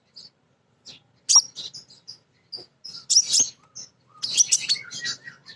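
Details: Singing female sunbird (kolibri ninja) used as a lure to stir other birds; scattered high chips build into denser twittering bursts, with a few lower whistled notes near the end.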